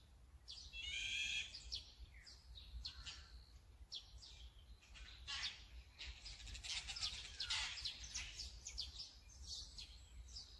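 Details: Azure-winged magpie makes a loud rasping call at the start, then a long run of harsh, chattering bursts and short scratchy notes, apparently from several birds.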